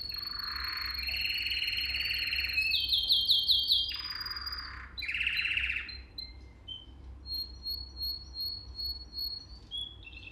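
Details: Canary song used to train young canaries: a low churring trill, a burst of rapid looped notes, a high sustained whistle, then evenly spaced high pips. A low hum runs in the background.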